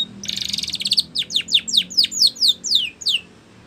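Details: Spanish Timbrado canary singing, used for training: a quick buzzy trill that breaks into a series of clear descending whistled notes spaced about a fifth of a second apart.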